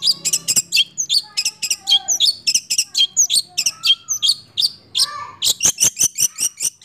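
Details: Young long-tailed shrike aged six months in roll speed and nembak song, a choppy stream of piercing high chirps and descending whistles, ending in a rapid series of clipped notes.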